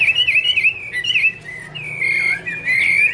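A Chinese hwamei sings loud, rich whistled phrases, warbling and sliding up and down, with quick trills between the clear notes.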